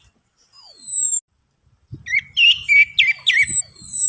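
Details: Orange-headed thrush lure meant to trigger song in a silent bird: a long, clear descending whistle, a pause, then loud twisting phrases with quick looping notes over soft low knocks.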